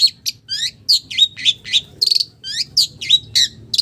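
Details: Long-tailed shrike mimicking village birds with quick high twittering phrases, mixing curved slurred whistles, buzzy notes and rapid chirps.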